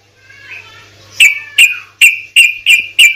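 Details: Sooty-headed bulbul, a lure recording for a stalled bird: six clipped, whistled chip notes at even middle pitch, spaced roughly every third of a second, after a soft warbling start, with a faint low hum.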